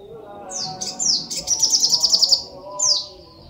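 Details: Sunbird singing busily: thin downward-sliding whistles, then a rapid run of about ten high repeated notes and a final falling whistle.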